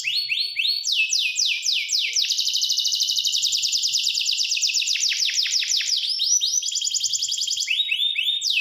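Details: Canary singing continuously: bright, high notes sliding downward in rapid series, shifting into fast rolling trills, then back to swooping high phrases. The song is unbroken and loud throughout.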